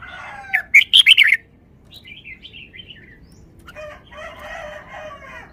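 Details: Caged Red-whiskered bulbul performing its song phrasing in the phleng pa (forest song) style: a loud burst of rapid, bright chirping notes, then softer rising-falling whistled phrases, ending in a rougher, buzzy stretch over steady low background hiss.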